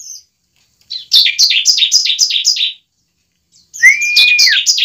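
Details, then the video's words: Bar-winged prinia fighting song, played to make a kept bird sing and fight: a crisp run of six evenly spaced buzzy chips, silence, then chips over a long level whistle. "pancingan ciblek ampuh membuat ciblek bakalan langsung gacor"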